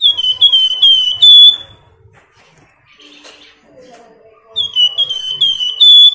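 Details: Flamboyan whistling to get other birds singing: a phrase of clear, downslurred whistled notes, a quiet gap with faint softer sounds, then a second whistled phrase.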